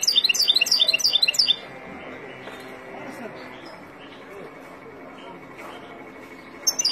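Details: Wild European goldfinch song for teaching chicks: a short burst of quick, sparkling high twitters over about one and a half seconds, then near silence with faint background hiss.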